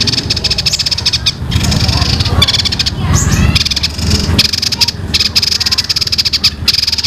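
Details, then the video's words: Young songbird imitating quarrelling sparrows in long, tight rolls: sustained rapid high rattle, briefly pausing, then resuming, with low background noise. "suara burung ini mirip gereja tarung full ngeroll panjang rapet"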